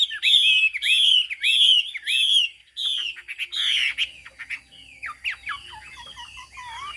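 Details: Chinese hwamei with fig-leaf tail and turmeric-yellow bill in high song: loud repeated looping whistles about once a second, then quick varied phrases and a series of steep, falling, slurred notes.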